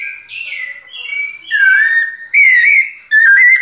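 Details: White-necked thrush, a kept bird singing in the pianado style: a chain of clear whistled phrases, soft at first, then louder slurred notes that rise and fall, each phrase under a second long.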